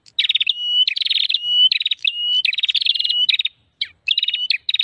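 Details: Prinia call for luring birds: loud, densely pulsed buzzy trills running almost without pause, joined by smooth flat whistles, with one short gap near the end.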